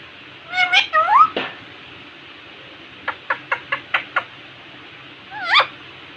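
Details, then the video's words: Indian ringneck parakeet chattering at a mirror: a few bent, rising and falling speech-like syllables, a quiet pause, a run of six quick clicky notes, then one more wavering syllable. "Cute Talking Parrot in front of mirror"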